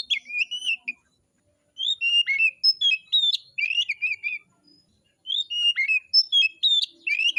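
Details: In a song contest, an oriental magpie-robin delivers three bursts of varied whistled song: sweet fluty notes mixed with quick up-and-down slurs and chattering elements, separated by short silences.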